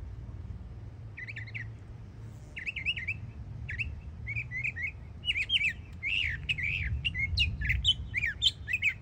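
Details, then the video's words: Young Northern mockingbird, a yearling, singing in Florida: a varied run of repeated chirpy and slurred phrases, each repeated several times before switching, growing denser and louder toward the end; low background hum. "Yearling Florida Mockingbird Goes Hard 🎶💯 Beautiful Songs"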